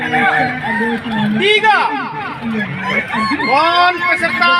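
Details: Kukuak Balenggek roosters at a crowing contest for the Walikota Cup 2024 in Padang, with long, stepped, rhythmic crows; overlapping arched crowing calls rise and fall amid loud crowd chatter and speech.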